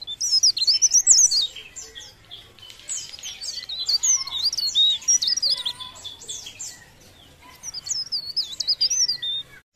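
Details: Leaf warbler singing vigorously: a fast, busy stream of high thin whistled and twittering phrases with rapid swooping slurs, delivered in bursts separated by brief pauses.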